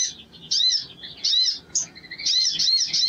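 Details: Spiderhunter in full song, a lure recording to spur display in other birds: loud, swooping arched chirps follow one another closely, blending into a continuous bright chattering run near the end.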